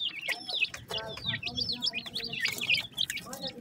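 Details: Dakhni teetar chicks, a grey francolin, chirping rapidly in a dense, uneven chorus of high, wavering peeps, with a low murmur and rustling underneath.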